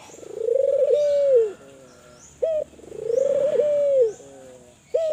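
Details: Kelantan spotted dove giving its call to prompt others to call: two long tremulous coos rising then dropping, each closed by a low flat note and a short sharp note, with faint high chirps and constant hiss.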